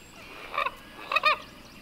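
Common Gallinule giving two brief bursts of nasal, honking clucks, the second a quick double note, over a quiet background.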